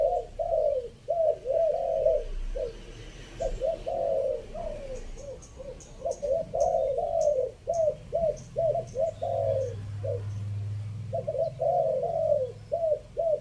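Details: Decoy coos of a spotted dove from Chiang Mai, Thailand, in the three-kuk pattern, section five: long runs of mellow cooing phrases mixing short notes and longer sliding ones, with brief pauses and faint higher chirps in the background.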